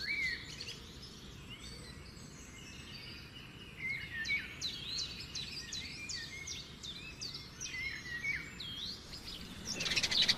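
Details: Nightingale song near a river with trees: rapid chirps and repeated short whistled notes, a busier chorus in the middle, and a sudden harsh burst near the end, over a steady rumble of water.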